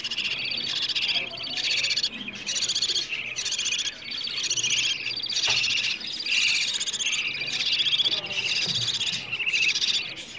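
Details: Food-begging of budgerigar chicks, played morning and evening to prompt budgies to breed: near-continuous chorus of scratchy, pulsed buzzing calls, several chicks overlapping with brief dips every second or so.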